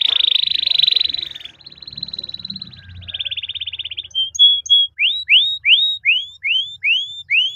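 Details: A constantly singing canary delivers a long roll to spur other canaries into singing: a buzzy sustained trill for about four seconds, a few short whistles, then evenly repeated rising-and-falling slurred notes about twice a second.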